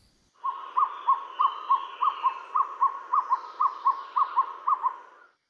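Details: Asian Barred Owlet, a small 22–25 cm owl that often calls by day, at Kaeng Krachan National Park, Thailand, gives about sixteen hollow mid-pitched hoots, roughly three a second and loosely paired, held steady nearly five seconds.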